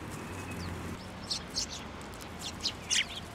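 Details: Sparrows at a shrine on 8 December 2023, flying onto a hand to take food: scattered short sharp chirps, a few soft notes over two seconds, against low background hum.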